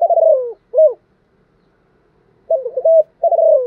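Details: Spotted dove trained as a decoy to stimulate new birds; the tail of one cooing phrase, a short note, a pause of about one and a half seconds, then a fresh stuttered and drawn-out falling coo.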